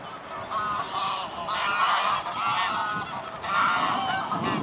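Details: Mute swans at Dresden's Blaues Wunder in mid-October 2017, afternoon; bursts of harsh, harmonic honking in overlapping groups, rising and falling in loudness across the whole stretch.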